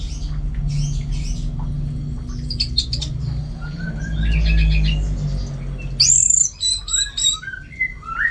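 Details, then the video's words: Orange-headed thrush with scattered chirps at first, then a loud burst of rapid high sharp notes and whistled slurs, over a constant low mechanical hum. "Super Kicauan ANIS MERAH Gacor"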